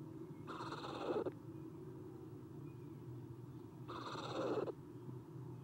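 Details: Eastern screech owl owlets in a nest box, 9:54 am on 30 April 2016, three young looking outside: a pair of coarse, breathy screeches about three seconds apart, each under a second long, against continuous low hum.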